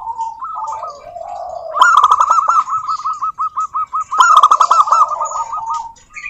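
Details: Singing local zebra dove, recorded to stir other doves to answer; a low opening coo leads into long runs of quick, bouncing rolled notes, with sharp high chirps from another bird overhead.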